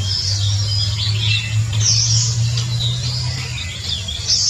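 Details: Oriental magpie-robin singing high, bright whistled and chattering phrases in quick succession over a steady low hum.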